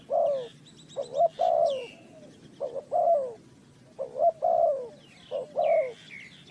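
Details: Spotted dove from Ninh Thuận cooing in a trapping context, low rolling phrases of two quick notes and a sliding coo, with small birds twittering high above at the start and end.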